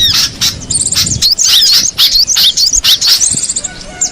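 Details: Cinereous tit in the wild giving quick high chirps and short slurred whistles, several notes each second, with busy twittering from other birds behind them.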